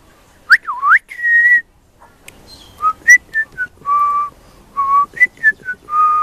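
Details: Juvenile pied butcherbird singing: pure fluted whistles, an opening dipping swoop, then a held note and a run of short clear notes at varied pitches, spaced irregularly with brief pauses between phrases.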